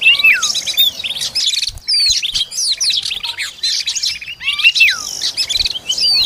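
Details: Oriental magpie-robin feeding its young: clear high whistled phrases with sharp upward and downward sweeps, broken by short silences and resuming in quick chirping clusters.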